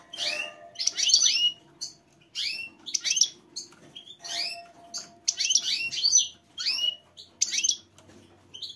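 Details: A female goldfinch giving a mating call: bright, twittering chirps in quick bursts, each about half a second long with rising and falling notes, over a faint low indoor hum.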